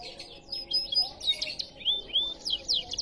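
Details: Canary giving riwikan-style song as varied high chirps, thin whistled slurs and quick rising and falling notes in an irregular, chattering sequence.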